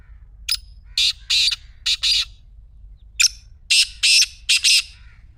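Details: Black francolin call meant to get a silent partridge calling: two harsh, grating phrases, each a sharp lead note followed by four rasping, buzzy notes, with about a second's pause between phrases. The background is quiet.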